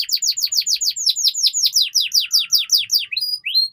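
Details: Long gacor canary song, played as training material so young birds start singing soon: a rapid series of sharply falling, slurred notes repeated about four times a second, then brief rising whistles at the end.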